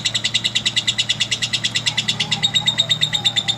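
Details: Rapid, high lovebird chattering with bright ringing notes in a steady fast rhythm, lasting throughout, as a bird sings at length.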